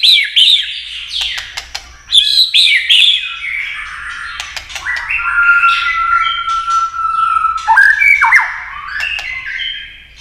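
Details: White-rumped shama singing a long, stream-like song in a competitive style while flicking its tail. Varied whistled phrases sweep up and down, mixed with sharp clicks and brief squawky notes, and several long sustained whistles run through the middle.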